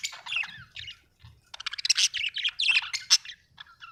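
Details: Budgerigars kept as pets at home warble in a busy, scratchy chatter of squeaks, clicks and buzzy notes, quickening into a dense stream in the second half.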